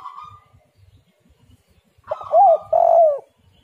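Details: Spotted dove calling as a lure to get other doves singing. A faint buzzy note comes first. After a pause come a short rising-falling coo and a longer, louder, steady coo.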